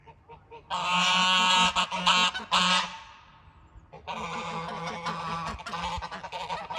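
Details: Mother goose defending, letting out a loud, harsh, rasping hiss-honk lasting about two seconds, then a pause and a second long, breathy hissing outburst that continues to the end.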